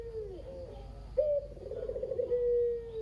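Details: Local caged Barbary dove, the survivor of a pair kept at a home, cooing in the kugeru style as a lure to set other doves calling: after a faint opening, a sharp note, a rolling pulsed burr, then a long, smooth, slowly falling coo.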